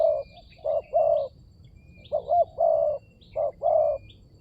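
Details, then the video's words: Spotted dove lure call: soft low coos in pairs, a short rising-falling note leading into a longer held one. Three phrases with short pauses. Scattered faint chirps of other birds. "Pancingan burung tekukur berkhasiat"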